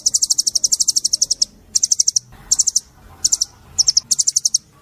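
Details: Oriental white-eye delivering the fast tembakan song meant for training caged birds: a long volley of piercing, evenly spaced chips followed by several shorter clipped bursts with brief quiet between.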